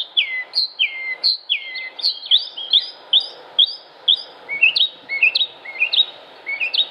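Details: Northern Mockingbird (Mimus polyglottos), Concord, North Carolina, United States, 6 July 2016, delivering a rapid run of repeated downslurred and upswept whistled notes, several per second, shifting phrase type partway through, with steady faint background hiss.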